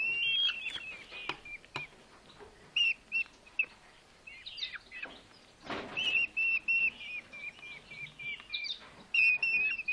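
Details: Starving Eurasian hobby chicks, two rescued nestlings, being hand-fed in a Hungarian rescue centre in August after drought left them without food. They utter thin, high squealing notes in irregular runs, with loud handling clatter midway.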